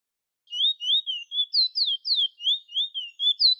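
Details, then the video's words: A bullfinch sings a quick run of clear, slurred whistles that swoop up and down, about three notes a second, with nothing else audible; recorded in Cedar Hill, Princes Town. "BullFinch Singing"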